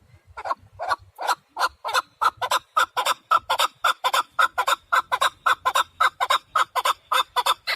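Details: Rhythmic, gobbling chuck series from a male partridge, recorded for hunting. Grating notes repeat about twice a second and build steadily in loudness across eight seconds.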